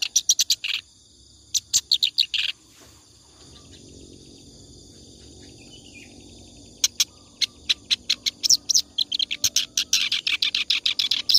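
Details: Clamorous reed warbler in full song for use in training other birds: a few harsh chattering bursts, a long quiet stretch of faint background hum, then a dense run of rapid, grating notes.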